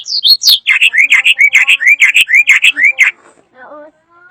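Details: Loud, varied drongo (srigunting) song: a fast series of about fifteen upslurred whistled notes in a steady rhythm, ending with softer lower notes.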